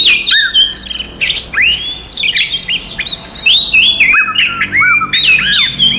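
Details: Oriental magpie-robins, five birds, singing a combative song meant to rile other magpie-robins. Clear whistled phrases rise and fall in loops, with sharp upslurred notes and brief scratchy bursts that overlap continuously.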